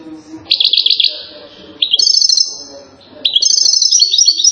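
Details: European goldfinch from Settat, Morocco, renowned for silsila-style song: three runs of rapid, bright, trilling twitters broken by short pauses, each run climbing into higher, sharper notes.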